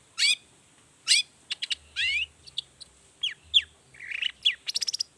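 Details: Long-tailed shrike singing 'toet toet' variations as a lure for other shrikes: scattered sharp, high rasping notes, falling slurs and a brief trill, with pauses between phrases.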